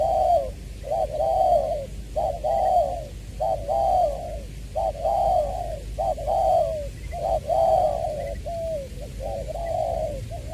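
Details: Close spotted dove used as a decoy, from Tra Vinh in Vietnam, repeating hollow cooing phrases about every second, each a low note swelling and dipping, steady and even, no other birds heard.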